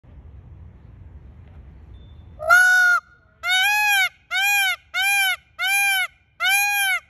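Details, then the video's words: Male Indian Peafowl gives six loud, nasal, wailing calls, each about half a second, repeated roughly every second after a low rumble of background noise. "Peacock Nice Voice"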